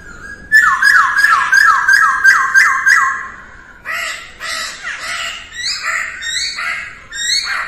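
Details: Masked laughingthrush singing at dawn for voice practice, a fast rhythmic volley of about a dozen falling whistled notes, then scratchier, more varied phrases with harsh overtones.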